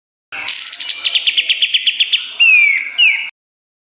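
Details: Pied triller song from a songbird training recording: a quick series of chirped notes followed by two loud downslurred whistles.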